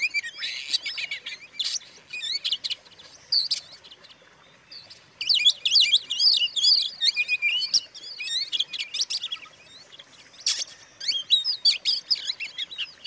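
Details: Song of an Oriental magpie-robin used to provoke other magpie-robins: scattered sharp chips at first, then long, busy passages of high whistles, rolling trills and scratchy chatter, with a short quiet stretch in the middle.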